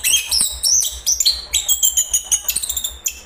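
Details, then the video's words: Chestnut-capped thrush (anis kembang) in song, a fast burst of bright, high, squeaky whistled notes and trilled phrases following one another with barely a pause. "anis kembang bang jago nyanyi Geokichla interpres"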